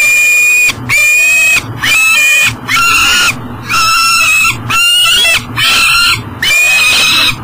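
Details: At a riverside nest box in Elk River, Minnesota, on a July 2012 morning, a peregrine falcon with food that cannot get inside gives strident, ringing, slightly bent wails, about one a second in a steady series.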